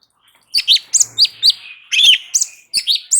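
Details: Light-vented bulbul in continuous song, used as training audio to prompt other birds to answer: bright chattering phrases of quick slurred, sharp notes, about a dozen in rapid bursts, with one longer warbled note near the middle.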